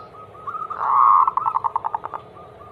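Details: Anggungan song of a zebra dove (perkutut) used as a singing prompt for other doves: faint short coos swell into a loud trilled phrase that breaks into about ten pulsed notes, then fades back to soft coos.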